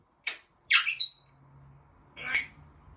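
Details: African grey parrot, a caged pet indoors, giving two short harsh squawks followed by a brief noisy call after a pause; faint low hum in the room.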